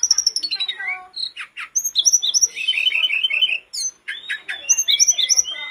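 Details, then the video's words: Sooty-headed bulbul in constant song, a lure for caged birds: descending piping notes lead into rapid chattering trills, a burst of buzzy warbling, then sharp high whistles and twitters. "TLEDEKAN GUNUNG GACOR DOR"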